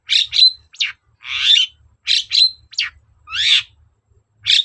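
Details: Scratchy, grating phrases from a long-tailed shrike singing to prompt a reply, slow uneven spacing of about thirty a minute, mixing short rasps, a thin whistled note and broader buzzy downslurs.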